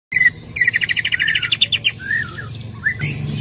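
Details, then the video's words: Greater green leafbird song used as a lure to prompt another leafbird to sing: a fast run of bright, evenly repeated chip notes, then slurred whistled phrases, over a steady low hum. "PANCINGAN CUCAK IJO AGAR BUNYI"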